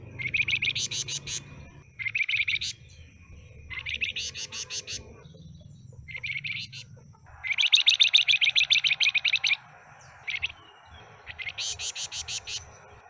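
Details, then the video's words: Caged pied fantail with a stubby tail, newly obtained from a bulk trader's batch, singing high chattering bursts of rapid repeated notes, each burst about a second long with short pauses between, over a faint low hum. "Suara Asli Kicau Flamboyan Ekor Buntung"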